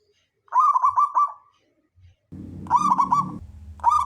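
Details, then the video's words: Local wild zebra dove, a constant singer with a big voice, used to lure other doves into singing: two bubbly, rapidly pulsed cooing phrases near one pitch, separated by a pause, with a low rumbling noise under the second. "perkutut lokal gacor suara besar"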